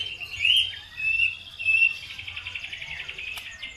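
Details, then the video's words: Bird song played as a lure to provoke other birds into singing: a few loud, clear whistled notes, then a fainter, steady buzzy trill that holds one pitch to the end, with a low hum beneath. "PANCINGAN SUPER AMPUH CUKUP HITUNGAN DETIK LANGSUNG NYAUT BIKIN EMOSI BURUNG NAIK IKUT GACOR"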